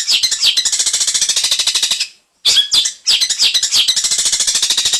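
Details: 'Isian mantan' song of a cendet (long-tailed shrike): a rapid machine-like stream of harsh high clicks and buzzes, briefly interrupted by a pause and a squeaky phrase before resuming.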